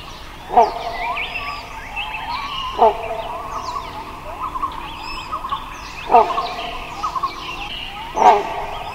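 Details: A wild Great hornbill gives four loud, harsh, barking calls at uneven gaps of two to three seconds, over steady chirps and whistles from other forest birds.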